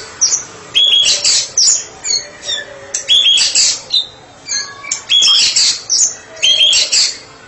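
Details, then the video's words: White-rumped shama (murai batu), a therapy specialist, singing ngeplong: a loud phrase of a clear whistle wrapped in harsh buzzy noise, repeated roughly every second with short quiet gaps. "Murai batu spesialis terapi sedang ngeplong"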